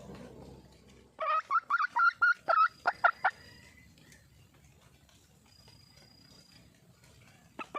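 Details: Red junglefowl calling for a mate: a fast burst of about ten harsh, clucking notes packed into two seconds, then a quiet stretch with faint background hum and two brief notes near the end.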